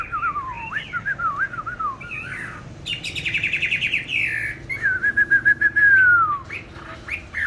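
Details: Caged songbird bought on 19 May 2020, kept on steady bran feed and said to sing in any setting, any time: varied warbled whistles, a fast rattling trill, then a long clear note gliding downward.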